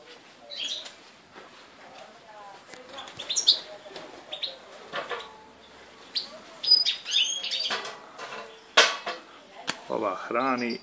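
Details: Captive European goldfinches, five young birds that have left the nest and are fed by an adult, recorded 3 July 2013; busy overlapping twitters, tinkling chirps and liquid trills, with wing flutters.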